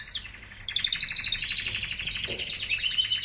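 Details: Canary song opening with a falling slurred note, then a long rapid trill of evenly spaced, bright pulses held at a steady high pitch, with a faint hum underneath.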